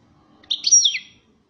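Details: European goldfinch, described as 'pyromeni' (fired up), giving one short bright call: a quick tinkling cluster of high chirps sliding downward, about half a second long, in near silence.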